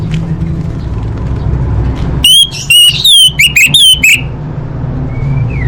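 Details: Orange-headed thrush female calling males, a lure to start quiet birds singing: after a low humming lead-in, a tight string of loud, clear whistled notes with bent tones, then a soft rising whistle.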